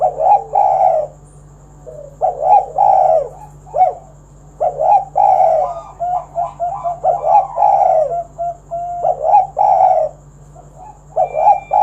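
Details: Spotted dove 'kuk 1' calling song meant to draw other doves into singing. Mellow low coos come in irregular bursts, broken by quick stuttering short notes and pauses, with a faint hum underneath.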